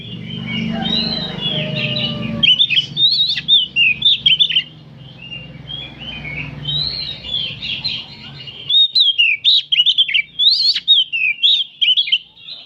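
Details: Group afternoon song of many oriental magpie-robins, played as training material to get kept birds to open their tails: rapid, overlapping whistled and chattering phrases, sweeping up and down without pause, with a faint low hum early on.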